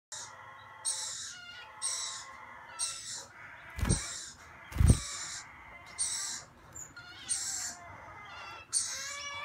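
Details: Gouldian finch, recorded 16 November 2017, giving thin, hissy high calls in short bursts about once a second, with two dull knocks and a low background hum.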